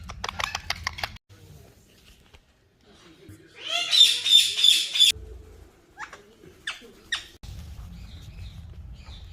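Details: Green talking parrots calling: a loud burst of harsh, harmonic squawks in the middle, then a few shorter rasping calls, with wing-flapping and low rumbling noise at the start and end.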